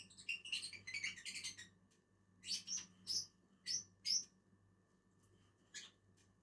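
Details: Pair of lovebirds (Agapornis) feeding on a tree, giving a rapid run of high squeaky chirps followed by several separate sharp shrill notes spaced about half a second apart.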